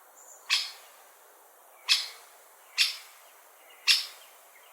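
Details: Great spotted woodpecker calling with crisp, explosive single 'kik' notes, five in under five seconds at uneven intervals of roughly one second, against a quiet background with a faint high whistle.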